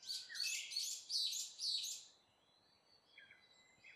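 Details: Brown-eared bulbul coming to eat fruit: a quick run of about five loud, harsh, buzzy notes packed into two seconds, then quiet with faint thin whistles from other birds in the background.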